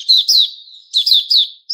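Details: Singing white-rumped shama recorded on 29 August 2021: a short series of bright, downslurred buzzy notes, two at first, then three more in quick succession after a soft connecting trill.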